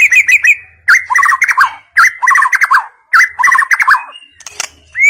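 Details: Forest white-rumped shama repeating a chattering phrase of rapid notes three times, each about a second long, followed by a rising whistle.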